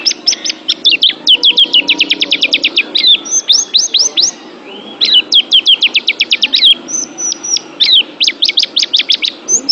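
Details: Oriental white-eye, pleci, singing for pet-bird mental training: long rapid trills of sharp repeated chirps, several bursts separated by short pauses, interspersed with short whistles.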